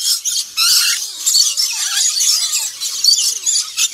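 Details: Black-winged lory giving harsh, raspy screeches in an almost continuous stream, with brief gaps, a few short rising squeals, and noisy bursts of rough, high-pitched sound throughout.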